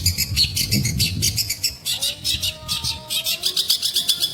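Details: Long-tailed shrike (pentet) singing: dense, rapid bursts of harsh, high chattering notes, roughly two to three per second, with a few short lower whistled slurs midway and low rumbling background noise early on.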